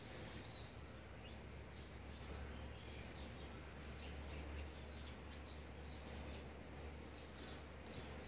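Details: Olive-backed sunbird feeding fourth-brood nestlings on day 18, 8 March 2020: five sharp, very high chips, evenly spaced about every two seconds, with a faint low hum underneath.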